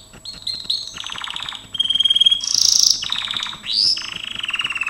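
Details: Gloster canary singing during training: rapid rolling trills and buzzy rattles alternate with clear high whistled notes, shifting pitch every second or so in a continuous, varied stream, with faint clicking underneath.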